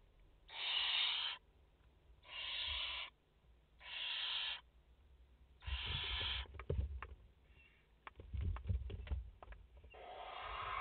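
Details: Barn owl mother and four chicks at their nest in France on 30 August 2021, live nest camera: repeated rasping hisses, with a burst of knocking and scuffling sounds between them before the hissing resumes.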